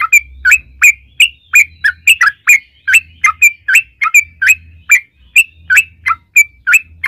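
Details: Yellow-vented bulbul giving spaced, bright chirps as a lure for other bulbuls. Short sputtering notes come in an uneven steady series, with a low humming background in patches.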